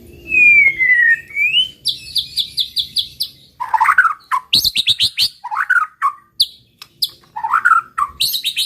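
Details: White-rumped shama singing to provoke rivals. It opens with a long clear descending whistle, then moves into rapid high trilled series, slurred whistles and chattering phrases in a continuous energetic flow.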